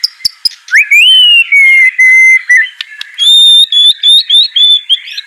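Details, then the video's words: Murai batu, the white-rumped shama, singing long pure whistles to stir a lazy bird into steady song. A rising slur leads into held level tones, then a higher series of clear whistled phrases. "Murai Batu Malas BUNYI Pasti LANGSUNG NYAUT NARUNG dan GACOR"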